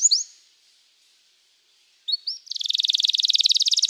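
A canary sings high, bright upslurred whistles, pauses, then breaks into a fast, buzzy rolling trill of rapid repeated notes.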